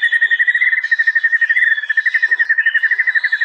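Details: White-rumped shama, murai batu, recorded in East Java on a realme phone for a training master track: a dense, ringing stream of identical short whistled notes at one pitch, about four each second, without pause.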